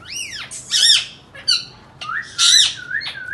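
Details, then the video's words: Indian ringneck parakeet kept indoors, talking and making sounds: loud arched squawks and harsh screeches, interspersed with short wavering whistled notes, in a small quiet room. "Indian parrots talking and making sounds lovely and best voice"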